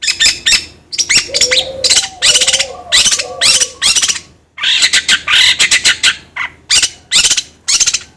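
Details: Long-tailed shrike lure song meant to set another bird singing; harsh buzzy bursts and scratchy chatter in rapid clusters, mixed with a few lower cooing notes early on.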